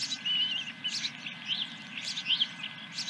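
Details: Osprey at a ranch nest, July 2021 morning, first fish: fainter thin whistled chirps, a few slurred notes spaced through the bit, over a background hum.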